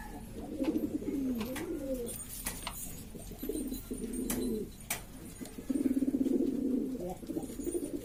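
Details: Domestic pigeons of East Lombok, a clamorous flock of various types: repeated low coos about four a second, bubbling and wavering, in three main bouts with clicks and knocks between.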